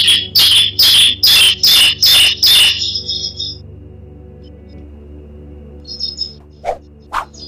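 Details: Bar-winged prinia song played as a lure to prompt other birds to sing: seven loud, harsh, buzzy high notes in quick even succession, then a pause with faint chirps and two short clicks near the end.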